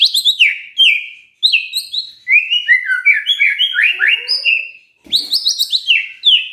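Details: White-rumped shama singing in the morning to provoke a silent shama: varied high whistled phrases and fast note runs in bursts, separated by brief pauses, with a harsh note near the end.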